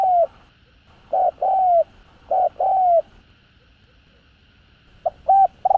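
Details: Spotted dove calling to draw in wild doves; low coos in pairs, a short note followed by a longer falling one, repeated twice, then a softer phrase of clipped notes after a pause.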